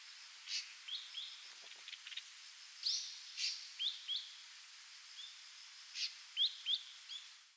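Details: An ashy drongo, a migrant stopping over on Yonaguni Island, gives a loose series of bright, short whistled and hooked notes, some upslurred, about two to three per second in bursts, over a steady background hiss.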